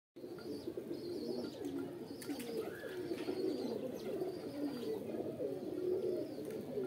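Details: Pigeons, kept as pets, cooing; several birds give low, overlapping, rolling coos continuously, with faint chirps above.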